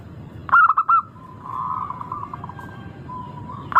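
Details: Local zebra dove with a clear, melodious voice, used as a singing lure: a sharp attack followed by three bright ringing coos. Quieter, smoother cooing trails off afterwards, and a fresh phrase starts at the very end.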